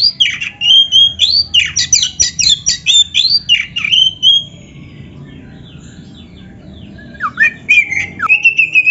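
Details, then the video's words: Oriental magpie-robin in rich song used to provoke caged birds into answering: rapid varied whistles and sweeping notes repeated about three times a second, a pause of near silence, then a renewed burst of bright, rising whistles. "PANCINGAN KACER GACOR ISIAN"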